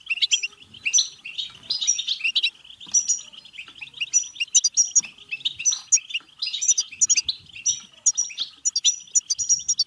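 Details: Sustained European goldfinch batbata song for stimulating goldfinches to sing, mate and become excited: rapid, twittering high phrases packed with bright whistles and buzzy trills, coming in steady bursts with hardly any silence.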